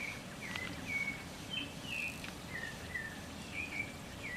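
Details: Smooth-billed ani in open country at Manu National Park, Pillcopata, Peru, recorded between May and October: a loose series of short slurred whistles, some rising and some falling, spaced about a second apart over a steady hiss.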